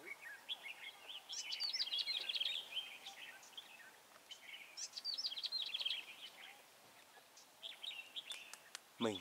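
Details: Red-whiskered bulbul at a trapping site on 21 March 2018, decoy bird luring wild bulbuls: two bright warbled phrases of quick rising and falling whistled notes, each about a second long, with scattered chirps, faint ambient outdoor noise between.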